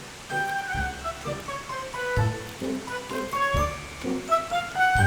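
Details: Gentle melodic music with sustained tones and soft low percussive thumps; no animal sounds.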